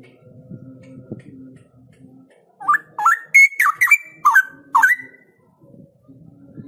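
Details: A captive straw-headed bulbul (Pycnonotus zeylanicus) gives a brief burst of rich, liquid, bubbling whistled song between stretches of low background murmur; the song is used to spur other straw-headed bulbuls into singing.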